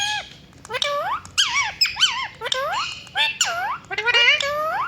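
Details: Rose-ringed parakeet, a pet ringneck parrot, giving a run of loud, clear chirps and squeaky rising-and-falling whistled notes in quick bursts of two or three, with brief quiet gaps between them.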